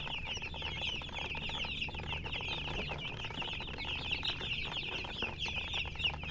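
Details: A crowd of chickens keeps up nonstop shrill peeping, short rising and falling chirps layered densely throughout, low hum underneath.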